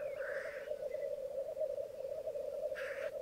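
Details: Black grouse lek on a bog in Mykland on a May morning in 2022, where twelve males and two females gathered: a steady low bubbling chorus runs throughout, broken by a harsh hissing sneeze early on and another near the end.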